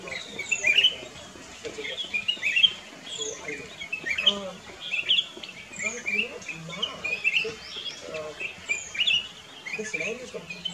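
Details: Black-crested bulbul song recorded at Camp Hornbill, Kyari Village, Corbett National Park: bright clipped chirps and short whistled phrases roughly every second, with low human voices murmuring in the background.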